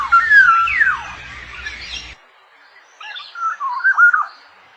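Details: Black-naped oriole at the chick-rearing stage: a burst of bright, slurred whistles and a rising-falling note, then a brief silence before softer fluty whistled phrases resume.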